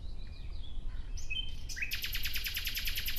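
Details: Out in nature, a nightingale offers quiet whistled notes, then launches into a fast, loud, rhythmic series of repeated sharp notes, about eight per second, against low background noise.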